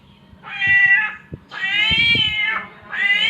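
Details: Samyong bird (myna) imitating a cat's mating call: three drawn-out, nasal, harmonic meow-like wails, each about half a second to a second long, with faint low knocks and rustling underneath.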